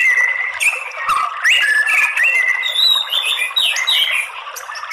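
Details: White-rumped shama singing as a fight-provoking lure: a continuous stream of fluid whistles, slides and quick twittering notes with little pause, over a hissing background.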